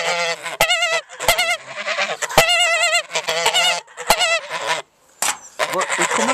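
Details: A rowdy flock of farm geese keeps up a loud, continuous chorus of brassy, quavering honks, broken by short pauses and clattering thumps.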